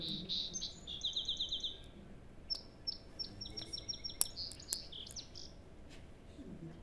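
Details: Song Sparrow, a roughly 20 g bird with many songs, presented as found around Longueuil, Quebec: a few high opening notes, then a quick series of buzzy repeated notes and varied chips, over a low room hum.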